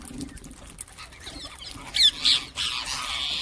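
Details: Ring-necked parakeets calling: two quick shrill screeches followed by a longer harsh, buzzy call lasting about a second, in a fairly quiet setting.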